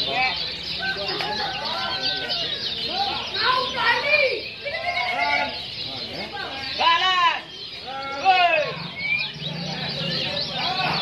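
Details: Several lemon-bellied white-eyes sing at a songbird competition in Bunkate, Central Lombok, in a dense, overlapping chorus of quick, high, warbling and twittering phrases, with people talking in the background.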